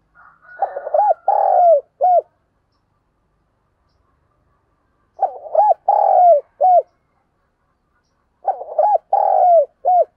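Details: Spotted dove used as a lure bird, calling in the morning; three bursts of low cooing, each a short stuttered series of notes ending in a longer drawn coo and a clipped final note, spaced about four seconds apart in silence.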